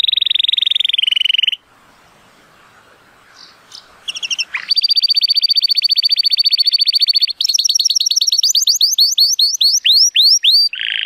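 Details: Sunny-day song of a male Timbrado Español canary rated 83 points, born 2018: a rolling trill, a pause with faint noise, then a long metallic trill and a series of repeated rising slurred whistles.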